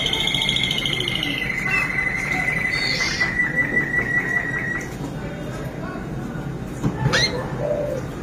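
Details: Waterslager (Malinois) canary singing: a high trill first, then a long, steady, slightly pulsing whistled tone, followed by short rising notes. A loud, constant background hiss partly masks the song.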